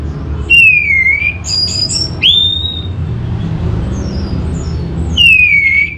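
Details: Orange-headed thrush giving long, clear whistles that slide down in pitch, with short higher notes between, spaced a few seconds apart over a low rumbling background.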